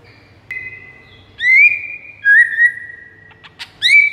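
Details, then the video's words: White-rumped shama master song used to attract rival shamas: long sustained whistles rising at the start, a short lower whistle, and brief sharp chips, separated by quiet gaps. "PIKAT MURAI BATU LAWAN DENGAN MASTERAN MURAI BATU SATU INI"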